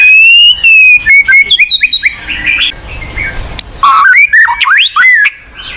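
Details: Song of the white-rumped shama (murai batu), a lure for a bird that will not sing: a long pure whistle, then quick chipping notes, a softer mumbled passage and a burst of loud upward-sweeping whistles.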